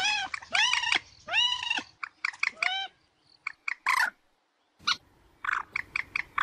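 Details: Common moorhen calls used for luring birds to be hunted: long arched nasal wails, then short abrupt clucks and clicks in scattered groups, over a faint low hum.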